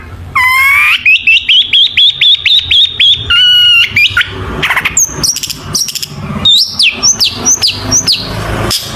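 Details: Long-tailed shrike song meant to coax other shrikes into singing: a fast series of clear rising whistled notes, then rapid chattering and a run of looping high whistles with sharp downward tails.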